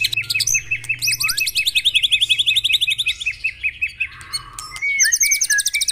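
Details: White-rumped shama song used to spark caged birds into singing: a fast regular chipping series under layered very high trills, a brief pause, then more rapid high rattling notes and whistles.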